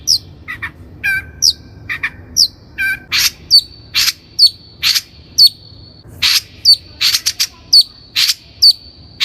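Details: Long-tailed shrike song, recorded to train captive birds as a lure: thin downslurred whistles and twittering notes that lead into a steady series of harsh chips over a held high whistle.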